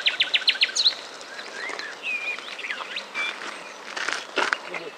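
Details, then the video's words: A Common nightingale sings at Paxton Pits, Cambridgeshire, England on 1 May 2011, opening with a fast run of about eight sharp repeated notes, then varied whistles and rich changing phrases over faint hiss. "Nightingale singing"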